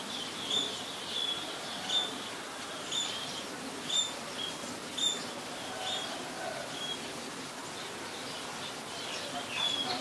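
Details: Scaly-breasted munia recorded in Ubon Ratchathani, Thailand, on 26 March 2022, giving brief high thin whistles, each slightly falling, repeated roughly once a second over ten seconds against a steady natural hiss.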